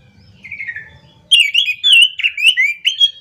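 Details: Orange-headed thrush in morning song, a soft descending warble first, then a loud, fast run of rolling, slurred whistled notes packed closely together; a low hum underneath at the start.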